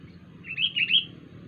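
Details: Odd-sounding wild sooty-headed bulbul: a single bright phrase of three quick, liquid notes, loud and clear over faint low background noise.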